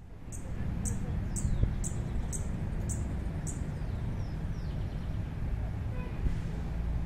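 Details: Sparkling violetear on a university campus in San Juan de Pasto, Nariño, Colombia. It rises and flutters its wings and tail, then returns to its perch. Its song is sharp, very high chips repeated about every half second over a steady low background rumble.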